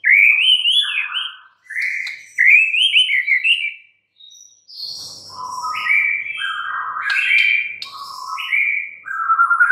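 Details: White-rumped shama in full song: rapid, rich warbled phrases and strings of whistled notes jumping between pitches, with a brief pause midway and faint low background noise.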